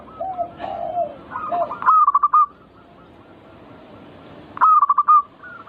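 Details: Zebra dove, a caged bird kept to be provoked into singing, gives bursts of rapid, rolling, stuttered coos near mid pitch, two phrases about three seconds apart, with softer dove-like notes at the start and a steady background hum.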